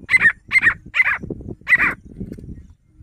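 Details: Grey francolin giving a rapid series of four loud, harsh, metallic notes about half a second apart, followed by lower, softer rasping sounds that fade out.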